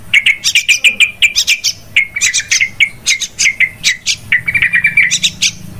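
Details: Yellow-vented bulbuls used as a trapping lure, very noisy: dense bubbly chattering of short rising and falling notes, rapid bursts roughly every quarter second, several voices overlapping throughout.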